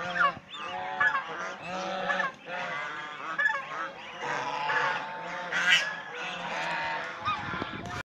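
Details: Flock of domestic Chinese swan geese honking continuously during play, bathing and fights, with loud, overlapping nasal calls rising and falling over constant background noise.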